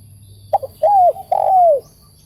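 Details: Spotted dove, described as a decoy bird, giving one phrase: two short clipped notes, then two long mellow coos that arch and fall. A low hum runs behind.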